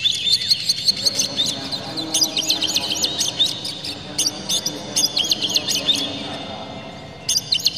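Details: Oriental magpie-robin singing hard to set off other magpie-robins: fast strings of high, clipped chirps and rattling phrases, nearly continuous, pausing briefly before a final burst, steady hum underneath.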